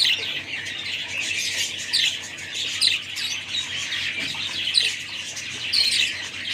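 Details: Budgerigar chatter: many overlapping high chirps and short squeaks forming a steady twittering wash, with a few sharper whistled notes standing out.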